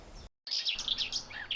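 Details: A garden warbler singing hidden inside the canopy in open woodland gives a fast, even, mellow warble that runs on for about a second after a brief silence, with faint background hiss.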